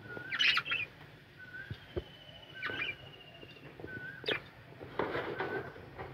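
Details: Budgerigar colony of kept birds calling. Loud chirpy squeaks and quick warbled notes arrive in clusters near the start and again toward the end, with softer chatter and low background noise in between.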